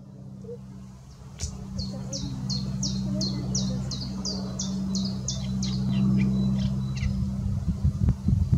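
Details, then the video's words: Eurasian reed warbler singing at Zellsee, Lkr. Weilheim, Germany: a quick run of high, dry, clipped notes, about four a second, over a steady low engine-like hum. "Teichrohrsänger Gesang"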